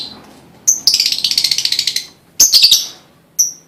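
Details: Lovebird prompting song meant to get other lovebirds singing: a couple of sharp high chirps, then a fast buzzy pulsing trill lasting over a second, followed by more clipped squeaky chirps.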